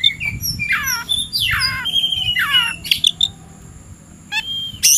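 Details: Oriental magpie-robin singing in the afternoon, ready to fight a rival: a loud, varied burst of harsh, buzzy, descending sweeps and clear whistled notes in quick phrases, then a pause and a few sharp chirps, with a faint steady high tone behind.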